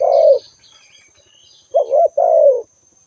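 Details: A spotted dove coos: a falling hollow note, a pause, then a wavering coo and a longer sliding coo, with faint bird chirps and a steady high-pitched tone behind.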